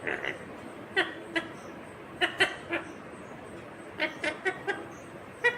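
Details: Green rose-ringed parakeet talking: a string of short, raspy, speech-like syllables with bright harmonics, spaced irregularly, several clustered around two and four seconds, over a quiet background hiss.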